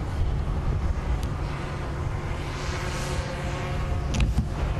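Continuous low engine rumble and outdoor noise from a moving vehicle, with no distinct animal sounds.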